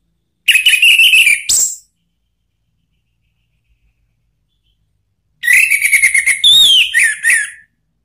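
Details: Orange-headed thrush song from Indonesia, used to provoke another thrush into singing: two bursts of loud whistled, warbling phrases with quick slurred notes, the second burst longer, separated by about four seconds of silence.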